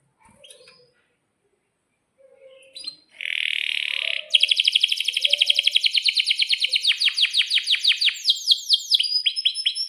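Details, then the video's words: Canary singing with long rolls, used as a lure to get other canaries singing: faint scattered chirps, then a dense buzzy burst, followed by a long run of rapid, sharp repeated notes ending in quick downward-sweeping whistles. "suara kenari gacor panjang AMPUH,, PANCINGAN KENARI AGAR BUNYI JADIKAN BURUNG KENARI GACOR Seketika"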